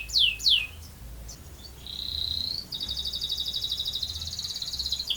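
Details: Canary song heard fairly quietly: two descending sweeps, then a drawn-out whistle leading into a long, even, fast rolling trill.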